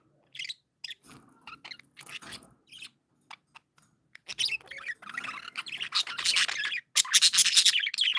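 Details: Happy budgerigars start with sparse, clipped chirps and clicks, then build into a loud continuous stream of raspy warbling chatter from several birds by the end.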